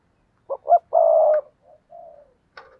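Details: Lure spotted dove giving a rousing coo: two quick short notes, then a sustained deep coo, followed by softer fading low notes. Clean, quiet recording.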